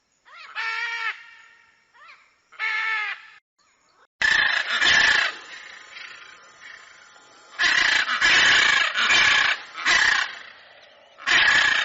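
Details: Hyacinth macaw in nature: two arched harmonic squawks, then a burst of rough, grating screeches in irregular clusters, loud and harsh against a quiet background.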